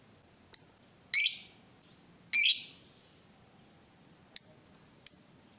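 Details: Lovebird kept as a cage bird, provoked into calling: sharp, high chirps with a few harsher rasping bursts, separated by gaps of roughly a second, in a quiet room.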